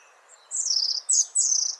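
A European robin sings a brief, high, liquid phrase: thin trickling notes that slide and tumble, broken by a short pause, with a faint hiss behind.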